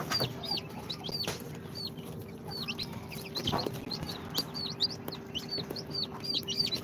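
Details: Newly hatched chicks of Sultan, Golden Sebright, Cochin and booted breeds, day two after incubator hatching. Steady high, downward-sliding peeps from several chicks, repeated rapidly throughout, with occasional soft knocks and a low background hum.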